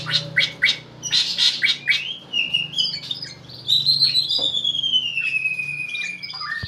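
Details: White-rumped shama with a versatile voice: a burst of quick, bright, high chirps, then a long clear whistle that slides slowly downward, closing with a few short notes over a soft low hum.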